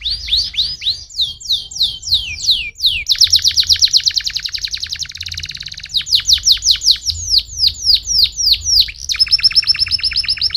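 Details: Loud canary song used to stimulate other canaries into singing: series of fast descending slurred notes, then a long rapid rattling trill, more sweeping phrases and a final fast trill, clean and close.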